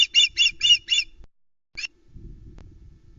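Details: Young osprey on a Scottish nest at Loch Arkaig, August 2020, calling near a delivered mackerel: five shrill, fast chirps, a short gap, one more chirp, then soft rustling on the nest.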